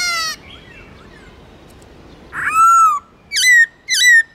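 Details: Black-throated laughingthrush song used to stimulate pet birds to sing: a brief high harmonic note, a pause, then a long loud whistled note and two short, clear, downward-hooked whistles in quick succession.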